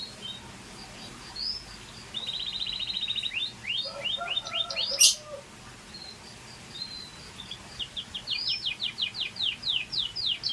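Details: Scotch Fancy canary singing: a buzzy rolling trill, then a run of quick rising notes, a sharp loud click near the middle, and a fast repeated series of bright upward-sweeping notes toward the end.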